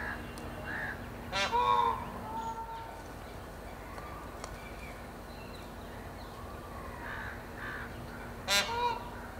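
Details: Indian peafowl alarm call in forest, a warning that startles chital and often means a predator, most probably a big cat, is on the prowl; two loud, harsh, ringing calls several seconds apart over quiet hiss and faint chirps.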